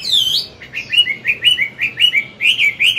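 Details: Chinese hwamei, an old wild-caught captive singing forest-style at dawn to train newly caught birds. A long high whistle, then a steady series of short, looping whistled notes repeated roughly three times a second.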